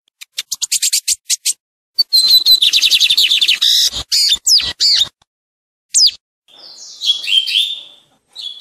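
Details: Lined seedeater singing the tui tui song style, recorded for teaching other birds: quick clicking notes, then a dense run of buzzy, rapidly repeated high notes, sharp single chips, and a later burst of warbled, slurred phrases.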